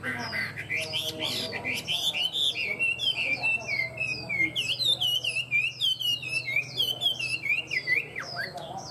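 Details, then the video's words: Caged, tame Chinese hwamei singing well and steadily: a loud, continuous stream of varied whistled phrases, rising and falling slurs and rapid repeated notes, delivered without pause, with a low steady hum beneath. "Chim họa mi thuần hót tốt"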